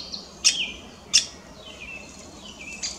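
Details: Lesser spotted woodpecker with an odd beak, possibly wounded, gives sharp, high, abrupt 'kik' notes about a second or more apart, with soft downslurred whistles faintly behind.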